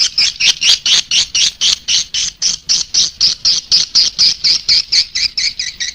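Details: Swiftlet calling sound used as a lure to attract swiftlets: a fast, steady series of high, harsh chirping pulses, about four per second, each a short twittering burst, continuing without pause and with no other sounds.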